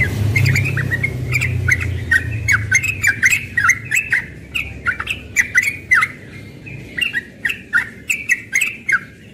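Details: Young yellow-vented bulbul singing in the morning in rapid-fire 'ropel' style: bright whistled notes, rising and falling, in quick bursts, with sharp clicking taps between phrases and a low hum early on.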